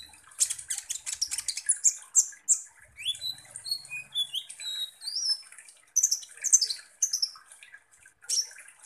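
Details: Sunbird (kolibri ninja) singing as a lure to provoke other sunbirds into agitated chattering: rapid high, dry chips and clicks alternating with short clear whistled notes that rise and fall, delivered in quick bursts with brief pauses.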